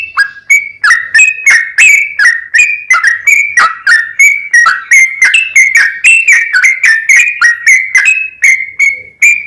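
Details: Lively yellow-vented bulbul song in long continuous runs, meant to provoke other bulbuls to sing: loud, bubbly whistled notes dipping and rising, delivered about three times a second without pause.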